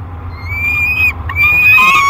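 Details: Young peregrine falcon, 30 days old, in a nest box at Great Spirit Bluff on 1 July 2021. A thin, strained wail starts quietly, then a louder rising wail follows.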